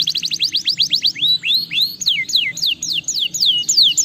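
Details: Canary song meant to stimulate lazy canaries: fast trills of high swept notes, first quick rising chips, then slower downward-sliding whistles about four per second, over a low background hum.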